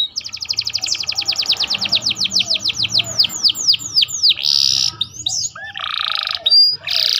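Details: Canary song filled with ciblek imitations, used for tutoring other songbirds: a fast run of sharp, falling whistled notes that slows into longer swooping slurs, then breaks into harsh, buzzy bursts and a thin chirp near the end.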